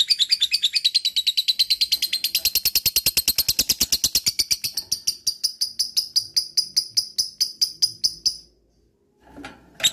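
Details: Lovebird giving the long chattering ngekek song: a fast stream of high harsh notes that gradually slows and spreads out over eight seconds, ending in well-spaced scratchy pulses, then silence and a final sharp note.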